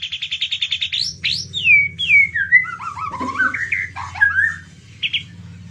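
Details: White-rumped shama said to be in excessive breeding condition. A fast run of repeated identical notes gives way to swooping whistled phrases, descending slurs and varied rising notes, closing with a short buzzy note.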